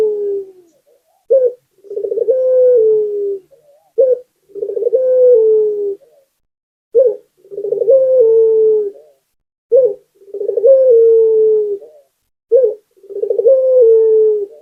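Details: Local Barbary dove in continuous song used as a lure for other doves: about five cycles of a short sharp coo followed by a rolling, sustained descending coo, roughly every three seconds, no other sounds.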